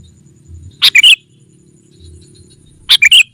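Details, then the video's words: Sooty-headed bulbul lure call used to summon wild rivals: two brief bursts of three quick, bright chirping notes, the second burst about two seconds after the first, over quiet low background hum. "Suara Burung Kutilang Pikat GACOR SUKSES Memanggil Lawan! Kutilang Liar Auto Kumpul"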